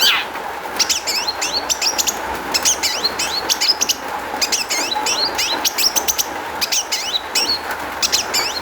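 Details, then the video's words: Long-tailed shrike in full, rich song used as a lure to get other shrikes singing: rapid bursts of sharp, high chirps and twisting whistled sweeps in repeated phrases, over a steady low hum. "kicau cendet gacor MEWAH ISIAN buat PANCINGAN CENDET AGAR BUNYI jadikan BURUNG PENTET NYAUT"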